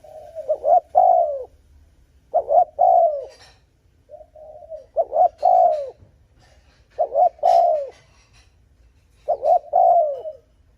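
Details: Repeated cooing of a Spotted dove, used to lure and provoke rival males: loud low phrases of two quick clipped notes and a drawn-out falling coo, about every two to two and a half seconds.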